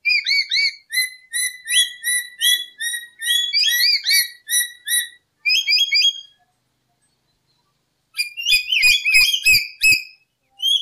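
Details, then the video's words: Lory singing as a lure recording, with rapid series of bright whistled notes that bend upward, delivered in steady runs. A silent gap follows, then a faster, jumbled burst of whistles. Faint low knocks are heard. "Suara Burung Nuri Full 1 Jam Masteran untuk Pancingan"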